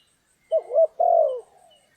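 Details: Spotted dove recorded during trapping in stormy, rainy weather gives a short cooing phrase: a quick broken double note followed by one longer, smooth coo that slides gently downward, with near silence around it.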